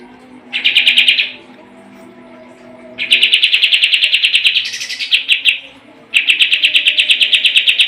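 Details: Sooty-headed bulbul song used as training material for competition birds: three bursts of rapid, dry, chattering notes, each burst a fast run of repeated high notes, separated by short pauses with a faint low hum.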